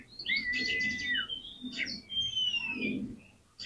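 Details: Oriental magpie-robin, used to prompt other magpie-robins to sing: softer, drawn-out whistles and buzzy trills over a constant low background hum.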